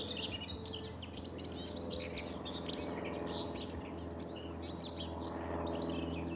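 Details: Common whitethroat singing on 3 June 2017 along the Sava riverbank at Prečko, Zagreb, Croatia: a scratchy, hurried warble of short chattering notes, over a steady low hum.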